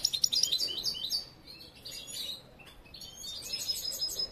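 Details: Young European goldfinch, seen from hatching and still learning its song, gives a rapid high jingling twitter. The twitter fades briefly midway, then resumes with chattering notes.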